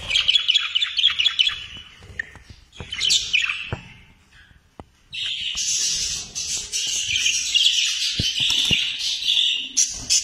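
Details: Budgerigars in a breeding setup in Esenyurt, Istanbul, about 25 young birds in cages, chatter as a dense flock, with warbling, chirping calls filling the air almost continuously.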